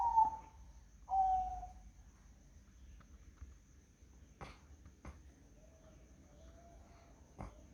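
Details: Zebra dove on a foggy morning: two loud, clear cooing notes open the recording, the first slightly falling. Scattered sharp clicks and a faint, drawn-out tone follow over a quiet background.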